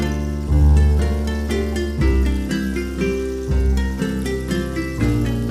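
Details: Plucked-string music with deep bass notes, played in repeating phrases, with no animal voice present.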